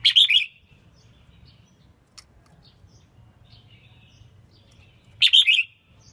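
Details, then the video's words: Red-whiskered bulbul female, chosen to stimulate males during training, gives a bright tumbling phrase at the start and another about five seconds later; a single faint click and scattered soft notes in between. "Tiếng chim chào mào yếu lửa hót không đè"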